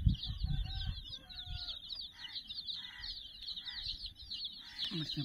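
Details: Chicks, sixty in number, play with a stuffed puppy toy, chirping constantly in a high, busy chorus. Short lower calls come in spaced bursts, with low rumbling knocks at both ends.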